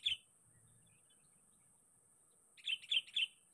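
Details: Sooty-headed bulbul lure call meant to draw in a rival: one sharp chirp, a long silence, then three quick bright notes in a row, with a thin steady high-pitched hum behind.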